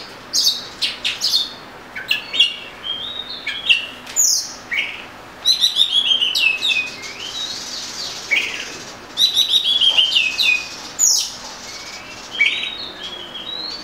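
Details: Oriental magpie-robin song with long runs of varied whistles, quick repeated chirps and rising slurred notes, delivered continuously over a constant hissing background.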